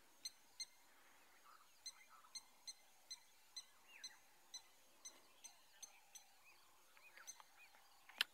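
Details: At sunrise on 3 March 2020, near water in Djuma Private Game Reserve, Sabi Sand, greater Kruger, blacksmith lapwings give sharp metallic 'tink' alarm notes, like a hammer on an anvil, about twice a second, alarmed at approaching people.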